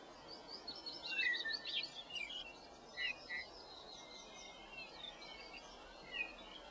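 Soft, short piping whistles of a bullfinch, scattered irregularly over a few seconds, with thin high twittering from other small birds and a steady background hiss.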